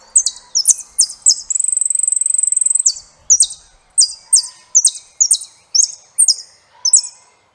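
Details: Saffron finch song: bright, high-pitched chipping notes in quick bursts, then a fast buzzy trill of over a second, followed by paired sharp chirps repeated about every half second.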